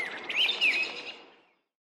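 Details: Rose-breasted grosbeak (Pheucticus ludovicianus) singing in spring in Norfolk County, Massachusetts: a short burst of rich, sweet, warbled notes rising and falling over about a second, faint background hiss.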